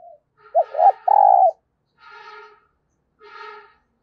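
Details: Decoy spotted dove calling in new wild birds with urging and crowing coos: a three-part phrase of two quick hoots and a long mellow coo, followed by two softer, buzzier nasal notes about a second apart.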